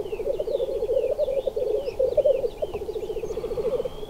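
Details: Black grouse males at a lek, wandering off rather than charging each other, make a steady low dove-like bubbling roo-koo in fast pulsing runs, with thin whistled and chirping notes from other birds above.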